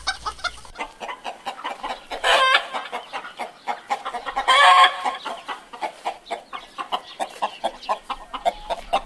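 Chickens cluck in short, mid-pitched notes about every third of a second, broken by two louder, harsh squawks. No long crow is heard.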